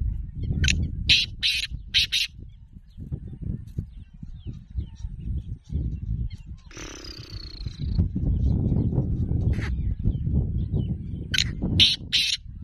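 A black francolin gives a harsh, grating run of clipped notes in quick bursts at the start and end, over low rumbling wind and handling noise.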